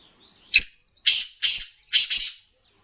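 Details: Rare Sindhi black francolin, called kala teetar and described as bedar, kept for sale: four harsh, rasping bursts in quick succession, the last two run closely together, then silence.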